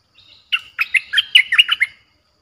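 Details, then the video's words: Streak-eared bulbul song played to lure wild birds: a faint buzzy lead-in, then a rapid series of seven loud, bubbly, slurred notes over about one and a half seconds. "เสียงนกดอกแตงEp.98เสียงดุดัน เปิดต่อนกป่าตัวดุๆ"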